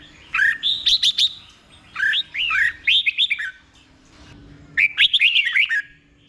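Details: Red-whiskered bulbul singing a slow, distinct doubled song meant for caged birds to copy; three bursts of quick, warbled whistled notes rising and falling, spaced by pauses of about a second.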